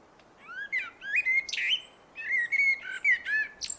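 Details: Common blackbird singing: mellow fluted whistles sliding around mid pitch, several short warbled phrases in quick succession, then a thin high squeaky twitter at the end.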